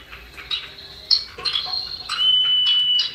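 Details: Common iora (cipoh), male and female, the female calling males, recorded as a singing lure. Scattered chirps lead into one long, steady, clear whistle held for about a second.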